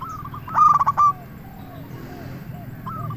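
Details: Local zebra dove song used as a lure to draw other doves: one loud burst of rapid, stuttering coos, then softer answering coos in the background.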